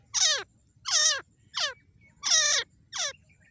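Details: Grey francolin female (dakhni teetar) calling without pause: five loud, harsh notes that each drop sharply in pitch, spaced roughly every seven tenths of a second, with a quiet low rumble underneath.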